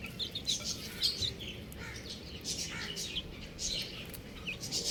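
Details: A group of buff chicks giving soft, high, blurred peeps in uneven bursts, with light rustling and a low background hum.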